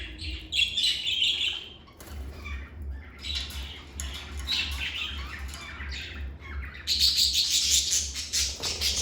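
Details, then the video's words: Pet lovebirds giving rapid, harsh, high squawking chirps, roughly three per second, swelling into a dense noisy burst near the end, with a constant low hum behind. "Lovebird Singing & Chirping Sounds"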